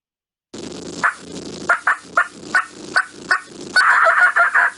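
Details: A wild turkey in North Carolina gives a cackle, typically made when flying down from the roost or by an excited hen seeing a tom before breeding: about eight sharp, uneven clucks that speed up and end in a raspy, tumbling burst.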